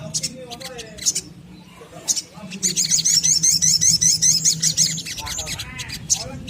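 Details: Little spiderhunter giving lively song to draw untrained birds into singing: a few high chips, then a quick, regular series of bright, piercing notes for about three seconds, followed by lower chatter.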